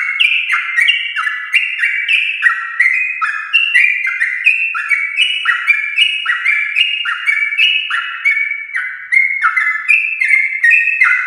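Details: Chatty, long-running Yellow-vented bulbul song from a champion-lineage bird, used to lure household bulbuls into singing. Dense bubbling whistles hop up and down in short steps without a pause.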